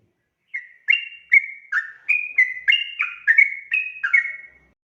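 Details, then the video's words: Long sooty-headed bulbul song, played as a lure to make other birds answer, with a steady string of clear whistled notes that step up and down in pitch, about three per second, in a quiet background. "KICAU SUARA trucukan gacor ropel panjang pancingan trucukan agar NYAUT"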